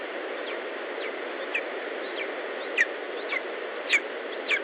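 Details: At an Estonian nest of the lesser spotted eagle on 19 July 2012 in late morning, a series of short, high, falling yelps grows louder, with roughly six notes over steady background hiss.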